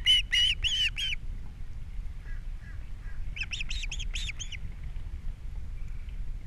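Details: Osprey on a camera-watched nest on Captiva, 3 April 2022, as a fish is delivered in the morning and the chicks are fed. Five sharp whistled chirps, a quiet gap with faint notes, then another rapid run of piercing chirps.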